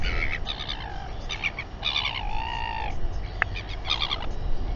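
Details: Royal albatrosses at a tense evening gathering and fight near a nest in New Zealand, 27 January 2021; bursts of nasal harmonic calls, one long steady wail near the middle, and a sharp click, with softer wind behind.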